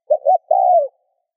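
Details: Spotted dove cooing to stimulate other doves to coo: a single phrase of two quick soft hooting notes followed by one sustained, gently descending coo, low and mellow, in silence.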